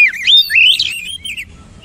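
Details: Oriental magpie-robin singing a loud, rich run of slurred whistles that rise and fall quickly, sweeping upward mid-phrase before trailing off into quiet background hiss.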